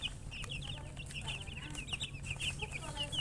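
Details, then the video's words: Chicks give rapid, high, slightly downslurred peeps in a busy overlapping chorus, with faint rustling and a low hum. "Witty MURGI Baby "Chicks Chirping" Sound"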